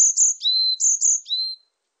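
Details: Varied tit singing a repeated phrase of high, shrill twitters followed by a lower, sustained whistle, given twice in under two seconds against silence.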